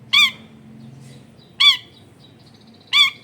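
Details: Long-tailed shrike calling, used to lure other shrikes into singing, recorded in a crowded residential area: three loud nasal, rasping squawks about one and a half seconds apart, with faint low hum between.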